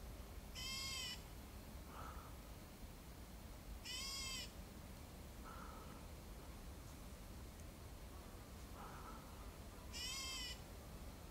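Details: A Black bulbul calling in Hong Kong gives three loud, nasal, cat-like mewing calls a few seconds apart, with fainter short notes in between over a steady low rumble.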